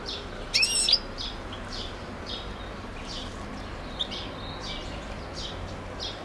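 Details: European goldfinch recorded in Macedonia on 21 April 2012: quick, high, thin chirps repeated rapidly, with a louder twittering burst near the start, over steady low background hiss.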